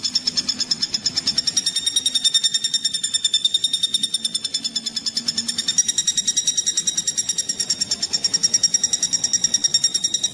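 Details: Common flameback woodpecker call used for training magpie robins and other songbirds: a sustained ten-second train of sharp, metallic notes about three per second, steady in pitch and loudness, over a faint low hum.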